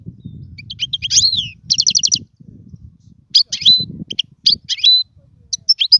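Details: European goldfinch song offered for teaching young birds to sing: bursts of high, liquid twittering with slurred notes and a fast rattled trill near the middle, separated by short pauses, over a faint low rumble.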